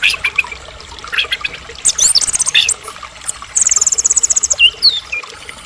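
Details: Caged white-rumped shama, a Medan-type bird, in full varied song used as a lure to provoke other shamas into singing: high rapid trills, a long fast buzzy rattle near the middle, and sharp downslurred whistles.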